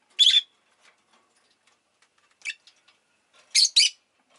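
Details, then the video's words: Harsh, screechy chirps from a rosy-faced lovebird: a strong opening call, a softer single, then a loud double chirp, with faint ticking in the background. "Lovebird Chirping Sounds"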